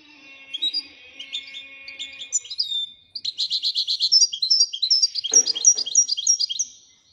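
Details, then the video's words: Royal European goldfinch singing a long continuous twittering song of high, bright, rapidly repeated chirps and liquid trills, with a faint steady low tone early on and a brief knock. "Le twitter et chardonneret royalتغريد طائر الحسون الملكي"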